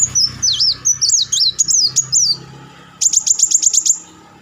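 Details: Kolibri Wulung sunbird giving crecetan chattering and rapid volleys of song, kept as a master bird for training songbirds: high, wavering twisting notes in quick bursts, then a run of about eight sharp, evenly spaced chips.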